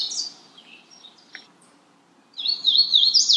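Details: Magnolia warbler giving a brief high slurred note, a quiet gap with faint chirps, then a loud, quick wavering run of high notes.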